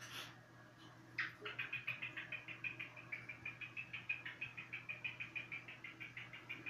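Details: Cockatiel whistling: after a brief noisy start, a steady run of short, bright chirps repeats about three times a second for over five seconds, with a low steady hum underneath.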